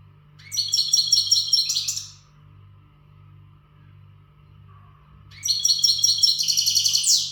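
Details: Western goldfinch not taught by recordings, singing its readiness song in two lively phrases of rapid, chiming high trills, a silent pause of about three seconds between them, low steady hum in the background.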